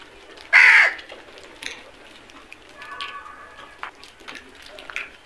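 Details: A single loud, harsh crow caw early on, followed by faint distant calls and soft chirps from other birds.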